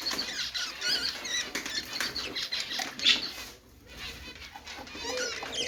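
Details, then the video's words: Budgerigars chirping happily while playing, a dense busy chatter of rapid squeaky, buzzy warbles and chirps running almost without a break, briefly fading near the middle before rising again. "Budgie chirping sounds ||love birds sound||budgies playing sounds||"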